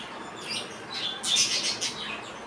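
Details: Baby budgies out of the cage chatter in a quick burst of high, scratchy chirps that swells in the middle and then fades.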